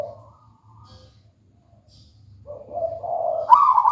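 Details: Perkutut, the local wild-type zebra dove, near-silent at first with only a low hum, then starts a phrase of soft purring coos rising into a louder trilled roll at the end.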